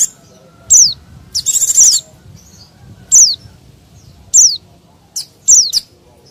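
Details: Mountain white-eye calling as a lure for wild birds; high downward-sliding chirps recur about every second, broken by a short rapid buzzing trill.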